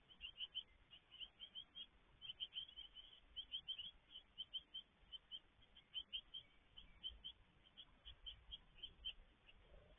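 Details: Great tits feeding at a garden nest box on 17 May 2022: thin, high chirps come in quick clusters, several each second, continuing steadily over a soft background hiss.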